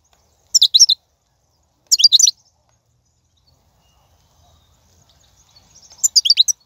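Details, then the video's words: ['European goldfinch in the wild, 2019, song intended to stimulate caged birds to sing: two short high twittering phrases close together, a long quiet pause, then a longer run of rapid chirps.'] "بتبتة الحسون , (بتبتة برية 2019) , فيديو تحفيزي"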